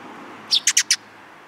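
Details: Four quick, bright sparrow chirps in a tight cluster lasting under half a second, recorded on 13 April 2022 against quiet background hiss.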